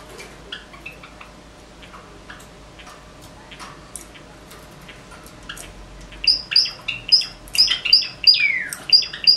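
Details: Morning song of a Java sparrow among several birds singing, eating and sleeping: soft scattered clicks and ticks for six seconds, then a loud burst of rapid, ringing high notes with one falling whine near the end.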